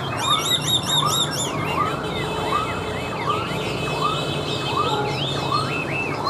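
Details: Tame Chinese hwamei singing while set on a table. Fast high twittered motifs open the phrase, then rising slurred whistles repeat steadily, over loud background hiss.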